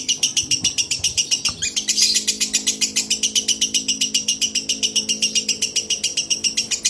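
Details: Female lovebird at sunset, delivering a fast run of sharp, buzzy chirps repeated about four times per second in a steady rhythm for the whole stretch, over faint low sustained tones.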